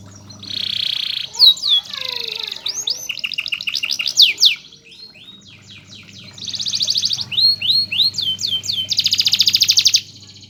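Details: Master canary singing for other canaries to learn from. It alternates dense buzzy trills with runs of quick sweeping whistles, pauses briefly mid-song, then resumes with more rolling tours. A faint low hum comes and goes.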